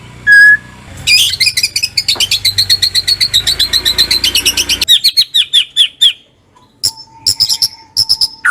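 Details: White-rumped shama kretekan song to spur a silent bird: a quick whistle, then a long burst of rapid, evenly repeated sharp high notes, followed by spaced clicks and brief whistles, with a faint low hum.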